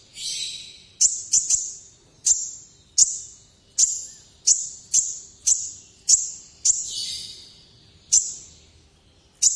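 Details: Kolibri ninja, the olive-backed sunbird, in full-voice nekan performance: piercing high chips repeated about every half second to second, with two hissy, rasping bursts among them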